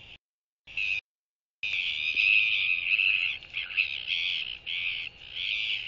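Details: Royal albatross male incubating his egg on the nest gives a skycall greeting to a visiting blue-banded albatross resting beside him, 14 January 2023; loud harsh braying bursts in close succession, with short silent gaps early on and a steady background hum.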